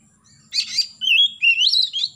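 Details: An Oriental magpie-robin in the morning opens with a harsh scratchy burst, then sings clear, high whistled phrases that rise and twist over about a second; song played to prompt young birds to sing.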